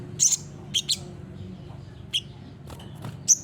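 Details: Olive-backed sunbird, known locally as sogok ontong or sriganti, in its persistent 'gacor nembak' singing style, recommended as a master recording for training other birds: a few sharp, very high chirps scattered over a quiet background hum.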